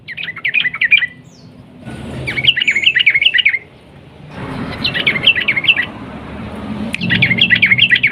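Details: A sooty-headed bulbul sings a long, rapid 'ropel' song with clicking notes, used to draw other bulbuls into singing. Four bursts of fast, chattering warbles are interrupted by patches of hissing background noise.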